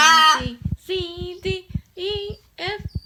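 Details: Pet umbrella cockatoo indoors singing the words "good bird": short voiced, humanlike sung syllables at a steady pitch, repeated in a few bursts with brief gaps between them.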